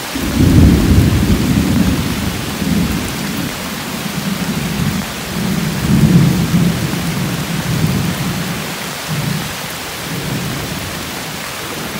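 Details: Heavy rain with low rolling thunder throughout, and no animal voices can be picked out.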